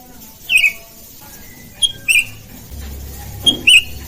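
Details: Sooty-headed bulbul (kutilang) calls, birds answering each other: short, high, two-part chirping notes in three spaced pairs over a few seconds, with a low rumbling hum in the background.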